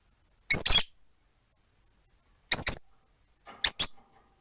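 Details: Rosy-faced lovebirds, four birds in a cage by a window, perched: three loud, shrill double chirps, harsh and squeaky, spaced about every one and a half seconds, with near silence between them.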